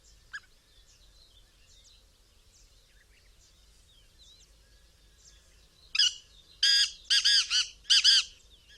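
A black francolin bursts into a loud, harsh, grating phrase of about five rasping notes in quick succession, after faint high chirps of small birds in the background.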